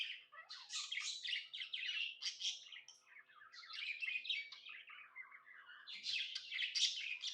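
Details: Happy tame pet budgerigar (Melopsittacus undulatus) warbling without pause in a fast, scratchy stream of high chirps and chatter, with a faint steady hum underneath.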